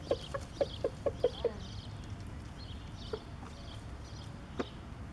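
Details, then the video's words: A rooster gives a food call telling hens he has found food and where it is: a quick run of low, soft clucks, about five a second, then two more spaced clucks, over a steady low background rumble. "rooster noises"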